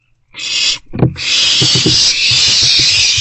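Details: Barn owlets in an owl box share a vole meal at night, passing it back and forth, 27 March 2024 around 2 am; a short hiss breaks off, then a long unbroken rasping hiss with soft thumps and scuffles beneath it.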